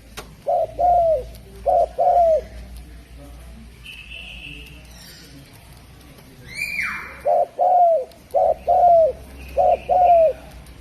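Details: Spotted dove of the Javanese type gives soft, low hooting coos in short two- and three-note phrases, each ending in a falling slur, repeated in bursts; a brief higher chirp and a sweeping whistle from another bird are also heard.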